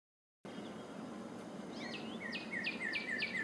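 A Northern cardinal sings a quick run of clear, slurred whistles, each sweeping downward, repeated about three times a second over a steady background hiss.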